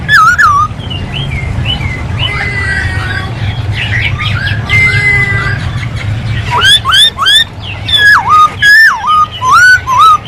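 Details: Masked laughingthrush song: soft mixed chattering at first, then strong ringing whistles, each rising sharply and falling back, repeated roughly twice a second over a low background drone.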